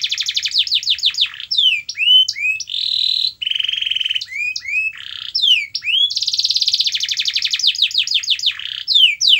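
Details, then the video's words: Canary singing, meant to stimulate a silent canary: mixed tours of falling slurred whistles, sustained buzzy trills and rising upsweeps, all high-pitched and continuous. "Kenari Anda MALAS BUNYI, Coba Putar Video Ini !!!"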